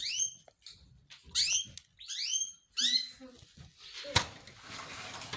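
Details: Excited yellow crested canary, kept as a cage bird, sings bright sweeping whistled notes in three quick bursts over about three seconds, then a sharp click and a hissing background noise follow.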